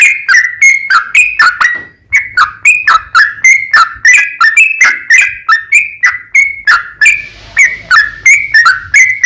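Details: Sooty-headed bulbul pouring out its long, fast song, used as a lure to draw replies from other bulbuls: dense rows of sharp whistled notes with a short break, and a faint hiss late on.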